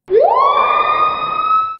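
A Screaming Piha gives one loud, ringing whistle that sweeps sharply upward, then holds a long, piercing, siren-like note before cutting off.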